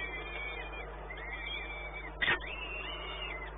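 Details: Peregrine falcon recorded at the Orlen site in Płock, Poland, on 1 May 2019 around midday; thin arched calls repeat steadily through the clip against a constant low hum, broken once by a sharp click.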